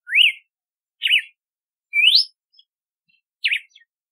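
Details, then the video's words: Red-cowled cardinal delivering four sweet whistled phrases: a rise-and-level note, a quavering warble, a long upward slur, then a final zigzag note after a brief pause. "Canto do Cardeal do Nordeste / Galo de Campina / Campina | Red-cowled Cardinal"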